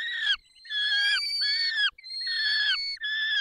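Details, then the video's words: Long, drawn-out, harmonic wailing screams, each lasting about half a second, from a peregrine falcon during feeding in the Barycz Valley, Poland, 20 May 2021, 10:22. "Karmienie 10:22 Dolina Baryczy 20 05 2021 sokół wędrowny"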